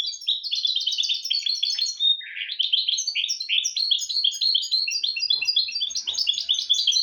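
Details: Goldfinch × canary hybrid (mule) singing a tutor song for teaching goldfinches and canaries: rapid, continuous high twittering of buzzy trills and metallic notes, with a lower rasping phrase around two seconds in; faint low taps near the end.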